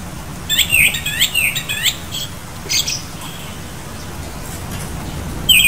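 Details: Japanese thrush giving a quick run of clear, ringing whistled notes with sharp upward and downward slurs over about a second and a half, then a short burst near three seconds and a last note at the end, over quiet background hiss.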